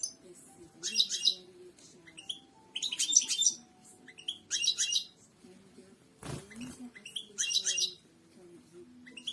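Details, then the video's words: Strong European goldfinch song for training birds to sing: dense, tinkling twitter phrases about a second long, repeated every second or so, with a brief thump midway and a faint background hum. "اقوى تغريد حسون الملكي"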